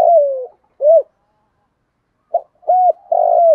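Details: Spotted dove decoy cooing, used to call in other doves: low hollow coos, a drawn-out falling note, a short arched coo, a pause, then a clipped note and two more coos ending in a longer one.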